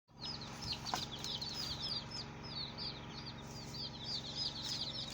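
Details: Many colourful baby chicks chirping continuously, a dense chorus of high, short peeping notes, many downward-sliding, overlapping with no pause, over a steady low hum.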